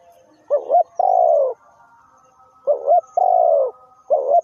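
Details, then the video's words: Spotted dove decoy calling during trapping: a short two-part note, then a drawn-out falling coo, repeated about every two and a half seconds, with a faint steady hum behind. "The Sound Of Spotted Dove"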